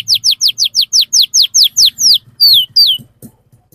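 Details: Canary in fast 'ngerol' song, used to get young canaries to sing: a loud string of downswept notes that slows and ends in two longer drawn-out whistles, with a faint low hum behind.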